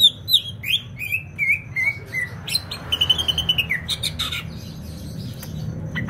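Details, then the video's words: Greater green leafbird from Banyuwangi singing vigorously: a varied phrase of high whistles sliding downward, then a quick rattling series of sharp notes, with a soft background hum. "CUCAK IJO BANYUWANGI GACOR"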